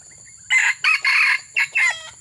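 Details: Red junglefowl crowing during an attempt to lure wild junglefowl: a loud, harsh, broken crow of about five short raspy bursts within two seconds, over a steady high insect hum.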